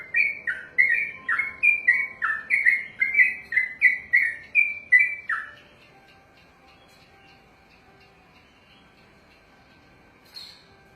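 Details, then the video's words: A trained sooty-headed bulbul rattles off its 'ropelan' song for about five seconds, a quick string of lilting dip-and-rise notes, then falls silent, with one brief faint note near the end. "ROPELAN BURUNG TRUCUKAN TERPANJANG DALAM SEJARAH"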